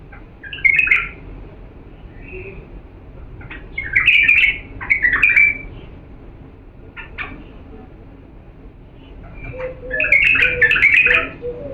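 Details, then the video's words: Diyala bulbul, an authentic singer for training young birds, giving several separated bursts of rich, rolling warbles and whistles, some louder than others, with a few soft lower notes near the end. "افضل تغريد بلبل ديالى الاصيل لتخريج الافراخ بدون اخطاء صوت صافي"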